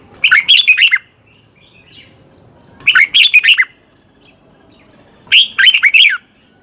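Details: Thai Red-whiskered bulbul repeating a lively song phrase three times, each a rapid chain of five or six chirpy, up-and-down whistled notes, separated by pauses of about two seconds, with faint high chirps in between.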